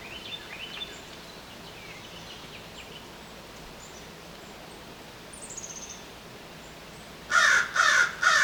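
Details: American Crow in a city setting near human infrastructure: quiet background with faint distant chirps, then three loud, raspy caws in quick succession at the end.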